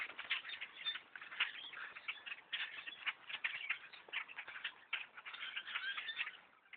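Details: Thousands of blackbirds swarming a hunter's tree stand during a bow hunt: a dense, continuous wall of overlapping squeaky chatter and chips with no gaps, steady throughout.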